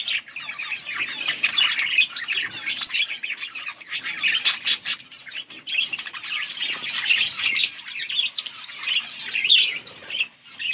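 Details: Yellow budgerigars chirping together, a steady stream of high, scratchy warbles and sharp chips rising and falling in bursts, with short louder squeaks scattered through.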